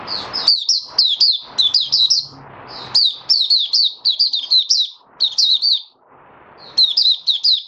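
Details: Caged oriental white-eye, a bird in song-training condition after deworming, singing rapid bursts of thin, high, twittering notes with quick up-and-down slurs, phrases lasting about a second and separated by short pauses, with faint room noise beneath.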